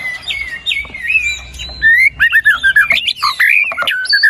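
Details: White-rumped shama song played to prompt a quiet bird into singing: clear rising and falling whistles, then a fast run of loud looping notes and chips, rich and varied.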